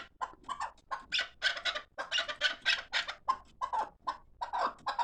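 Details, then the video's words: Fighting chukar partridges make a dense jumble of harsh, overlapping chuk calls, suggesting more than one bird. A low background hum runs underneath. "Кабки ҷангӣ"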